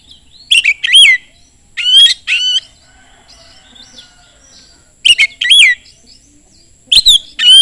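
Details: Oriental magpie-robin song used as a lure to provoke other magpie-robins into singing: loud bursts of sharp, whistled and ringing notes with rapid rising and falling sweeps, delivered in short phrases separated by pauses of about one to two seconds.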